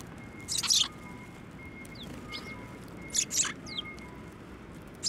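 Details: Sparrows at a shrine on 17 December 2023, coming to a bench to be fed: scattered sharp high chirps in small clusters over a steady low hum and a faint tonal whine.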